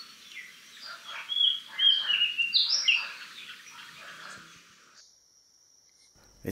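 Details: Male Oriental magpie-robin on Koh Man-nai island, Rayong, Thailand, sings a varied run of clear whistles and slurred notes, mimicking other birds, possibly a plaintive cuckoo; thin steady background hiss.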